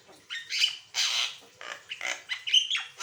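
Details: Asian pied starling in full varied song for training or prompting other birds: broad, raspy squawks with ringing whistled overtones, then a quicker run of short harsh notes.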